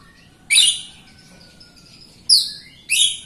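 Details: Jalak Rio myna in full song, played to stimulate other Jalak Rio birds and lazy singers; three sharp, piercing high chirps with a faint level whistle between them and quiet gaps.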